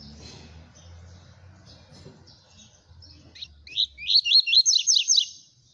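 A Double-collared Seedeater bursts into a fast run of high, sharp chirped notes, about eight in two seconds, after a quiet start with faint low background rumble.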